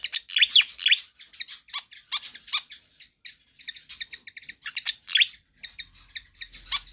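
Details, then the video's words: Energetic, insistent pied fantail song meant for tutoring or luring other birds: bursts of sharp high chirps and squeaks, separated by brief gaps. "Sikatan Kipas GACOR Ngotot"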